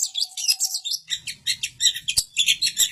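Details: Long-tailed shrike in full, energetic song in Samarinda: a dense, scratchy stream of rapid chirps and chattering notes, with a sharp click midway and a faint low murmur underneath.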